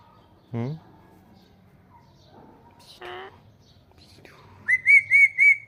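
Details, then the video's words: Pet ringneck parrot pair, a talking couple, with two short harsh harmonic squawks a few seconds apart, then a run of four loud, clear whistled notes at one steady pitch, evenly spaced near the end, over faint low background noise. "Most amazing talking mithu couple 😅 | Talking Parrot | Ringneck parrot video"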